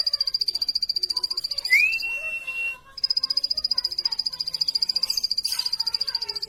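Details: Plain prinia chirping: steady, rapid high-pitched pulsed notes, briefly broken by a rising whistled slur and a short pause, then resuming at the same even pace.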